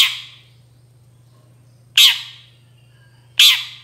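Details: Long-tailed shrike calling to lure other shrikes into answering: three harsh, broadband squawks, each about 1.5 seconds apart and fading quickly, over a steady low electrical hum.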